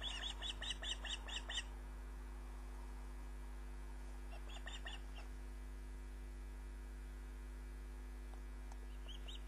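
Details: Osprey at the nest, recorded by a live nest camera on 29 June 2010 at 22:34: a loud, rapid string of about eight high whistled chirps, then a shorter burst of about four, with a steady hum beneath.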